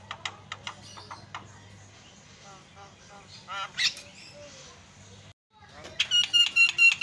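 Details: Javan myna (jalak kebo) singing its isian filler song, described as very active and melodious: scattered chattering and whistled notes, then a quick series of bright, evenly spaced notes near the end, with a faint low hum throughout.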